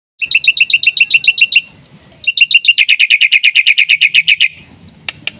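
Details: Black-winged myna giving a full 'isian' song used as a lure and master for training other mynas: a fast run of sharp, ringing chirps, a brief pause, then a longer rapid series of bright repeated notes, with faint low background rumble.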